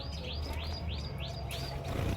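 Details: Captive male White-headed Munia, at a nest where chicks have just hatched, gives five thin, high, upward-curving whistled notes, about one every third of a second, over a low background hum.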